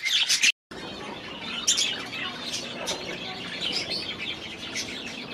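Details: Budgerigars in an aviary: a loud burst of high twittering, a short break, then softer scattered chirps and squeaks over a steady background hiss.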